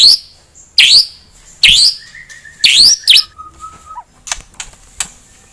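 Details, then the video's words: White-rumped shama singing in fast-firing style meant to provoke a rival bird's aggression: loud, sharply swept whistles in bursts about every second, plus a flat buzzy note and a level whistled tone between them. "TEMBAKAN SUPER JITU,!!, ASLI CEPAT MENAIKAN EMOSI LAWAN"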